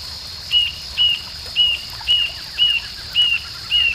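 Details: Rufous-tailed jacamar at Arapongas, Paraná, Brazil, giving short, high, thin whistled notes about twice a second over a steady background hiss of insects.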